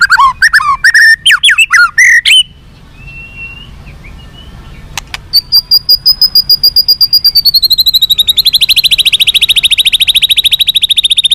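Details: White-rumped shama song for making captive birds responsive and fighting: quick varied whistles and slurs, a quiet pause, then a long accelerating series of high, evenly repeated buzzy notes forming a sustained trill.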